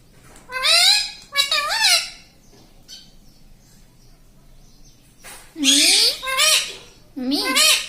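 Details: Talking tota, a pet parrot mimicking words like "mummy" and "mitthu": two wavering voice-like syllables, a quiet gap with faint sounds, then three more strong swooping, nasal syllables in quick succession.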